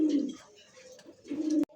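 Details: Domestic pigeons at a farm in Jamgora, Ashulia, Savar, Dhaka, recorded in the evening on 25 December 2025: two low, throaty coos with a quiet gap between them, ending in a sharp click.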